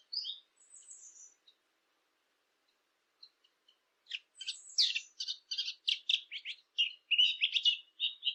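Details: Blackcap song meant for hunting lure devices: a few faint high whistles, a pause, then a dense burst of scratchy, chattering notes that build into a quick jumbled warble.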